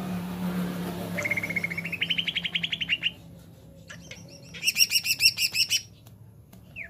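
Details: Jamtrok wik wik style song of a greater green leafbird: a long train of fast whistled notes climbing slightly in pitch, a pause, then a burst of loud ringing, chattering notes, with a low background hum.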